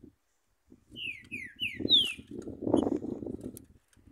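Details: A free-living green-winged saltator in Urupema, Santa Catarina, Brazil, the coldest place in Brazil, gives four quick, clear whistled notes, each sliding downward, over a steady low rumble of wind or background noise.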